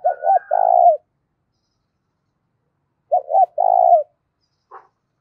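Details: Clear, loud spotted dove cooing for rousing decoy doves. Two low phrases about three seconds apart, each two quick notes then a sustained coo, with a faint higher note over the first and a soft click at the end.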